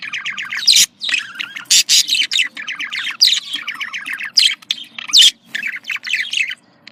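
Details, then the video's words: Pet budgerigars, used to stimulate breeding, giving loud rapid warbling chatter with fast repeated chirps and buzzy notes, many overlapping voices in quick bursts separated by short pauses. "dişi muhabbet kuşu kızıştırma sesi erkek muhabbet kuşu kızıştırma sesi budgie sounds"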